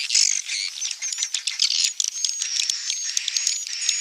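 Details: Edible-nest swiftlet calls used to lure birds into nesting at a site: dense, high twittering chirps with thin rising whistles, overlapping continuously without pause.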